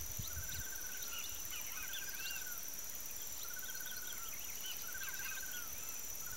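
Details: A gray monjita in open fields and riverside cerrado gives a short, slightly buzzy trilled call about every one and a half seconds, over scattered chips from other birds and a steady high insect hum.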